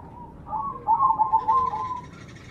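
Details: Zebra dove (perkutut) of the Majapahit type, a lure song meant to prompt quick singing: a soft wavering coo, then a louder run of rapid, staccato, slightly trilled cooing notes that fades out.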